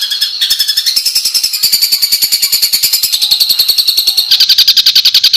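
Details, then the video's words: Songbird on a master recording meant to teach competition birds rough 'tembakan' phrases: a dense, rapid, buzzy trill with several pitch steps, high and harsh, continuing without pause. "suara tembakan kasar untuk masteran"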